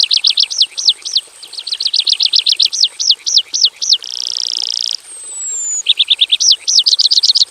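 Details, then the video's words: Aviary-kept Javan bush lark in energetic full isian song: fast runs of high looping notes, slower arched phrases, a steady buzzy trill about a second long, a thin descending whistle, then renewed rapid notes. "KICAU SUARA BURUNG BRANJANGAN JAVANICA GACOR FULL ISIAN BIKIN MERDU DI KANDANG AVIARY SEDERHANA"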